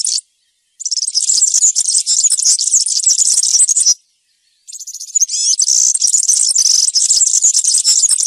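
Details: Field-style ('cante campero') song of a European serin: rapid, shrill, jangling twitter held for about three seconds, a short pause, then a further sustained stretch with a few clear upward-curving whistles mixed in.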